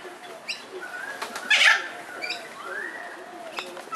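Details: Two rainbow lorikeets (Trichoglossus moluccanus) in a front garden on 25 October 2010, during a mating ritual, give one harsh, grating screech and a few softer chattering notes, with faint rustling and fluttering around them.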